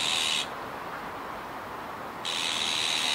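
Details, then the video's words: A young azure-winged magpie at Kiba Park on 17 July 2019 gives two rough, breathy hissing calls separated by nearly two seconds of quiet background hum. "オナガの若鳥 Azure-winged Magpie"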